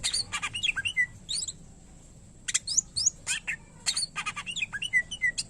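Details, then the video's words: Greater green leafbird (cucak ijo) delivering harsh clustered chips and descending whistles in two bursts separated by a short pause. "Cucak Ijo Gacor Isian Pilihan Terbaik Cocok Buat Masterin Burung Lain Yang Malas Bunyi"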